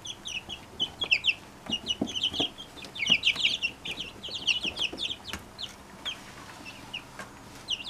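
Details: Many Brahma chicks from a single hen cheeping: high thin peeps in irregular bursts, busier in the middle then thinning out, with a few tapping sounds.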